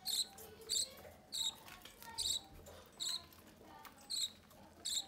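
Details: Caged budgerigar parents feed a chick from the nest door; brief, evenly spaced raspy begging chirps repeat roughly every half second over faint background hum.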